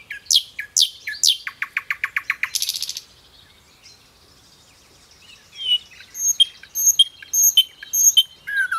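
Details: Common nightingale singing: sharp rising whistles, then a fast even run of about a dozen repeated notes ending in a buzzy burst, a short pause, and a series of high, clear repeated phrases.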